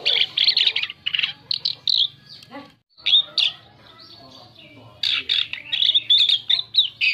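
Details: Song of an Asian pied starling, used as a lure for other birds: bursts of harsh chatter and whistles, a near-silent gap around three seconds, then a renewed rapid run of squeaky notes.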